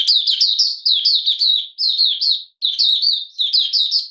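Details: Malaysian Oriental white-eye, a caged bird in minor moult and out of form, 31 July 2023, singing 'buka sing': dense bursts of high, chattering, slurred warbles, several quick notes per burst, with brief pauses between.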